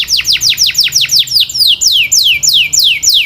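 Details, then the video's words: Canary training song with clear high notes: a quick series of steep downward-sliding whistles that gradually lengthen into slower, drawn-out swoops, roughly three per second. "The Most Popular Canary Singing 2025!! Sweet and Clear Voice"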